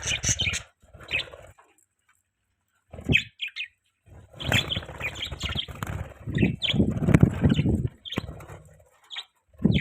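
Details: Pet budgerigar giving scattered short high chirps and chattering twitters in irregular bursts, mixed with low rustling and wing-flutter noise and a few silent gaps.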